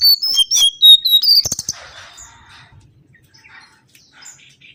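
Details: Mangrove whistler singing on a lure track: a quick sequence of clear whistles jumping between higher and lower pitches, a few sharp clicks, then a faint, scattered tail of soft notes.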